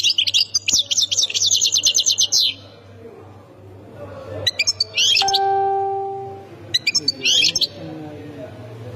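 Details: European goldfinch, Khemis Miliana sector, Ain Defla province, giving a long run of rapid high twitters, then scattered chirping phrases; a clear ringing chime sounds midway, and a low hum persists.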